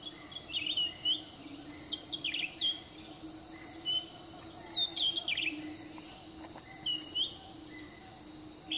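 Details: A cucak ranting (grey-bellied bulbul) by a road in Pakpak Bharat, Sumatra, where a cage is set to trap birds: lively, high, twisting chirps in rapid clusters, repeated often, with a steady insect hum underneath.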